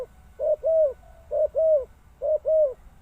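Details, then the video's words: Three paired coos from a spotted dove, each a clipped first note leading into a longer, gently descending second note, spaced under a second apart. "Sound Of Spotted Dove"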